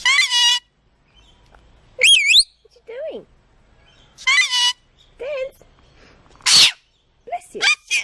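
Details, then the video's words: Pet parrot that says "bless you" after sneezing, giving a string of harmonic talking syllables with bending pitch, then a short breathy burst like a sneeze, followed by more quick chattering phrases. "Bird says 'Bless You' after sneezing"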